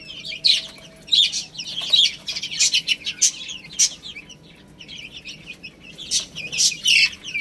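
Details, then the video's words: Chicks eating rice produce bursts of high cheeping alongside loud pecking clicks, followed by a quieter pause before the chirping picks up again. "Beautiful Chicks Chirping Sounds"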